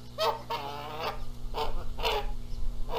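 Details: Canada geese at a spring nest in Montana, the gander arriving and making lots of noise during a dispute over the eggs; rapid series of harsh honks with a low rumble of wingbeats or wind.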